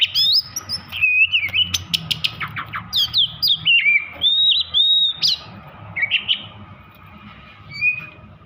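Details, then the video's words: Oriental magpie-robin in an over-emotional state, its song meant to goad other magpie-robins to sing: varied high whistles, downward-sweeping notes and harsh buzzy bursts in quick succession, fading to quieter scattered whistles toward the end. "Kacer over emosi cocok untuk memancing Kacer lain agar bunyi dan gacor"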